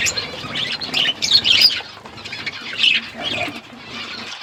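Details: Parrot eating food, recorded February 25, 2024: dense bursts of high, scratchy chirps overlapping in two clusters, with faint rustling and flutter between them.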